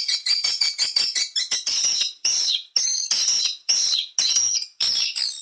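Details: Swiftlet call played to attract birds to nesting houses: quick high chirps in fast bursts at first, then longer buzzy, twittering phrases separated by short silences, roughly one every half second to second.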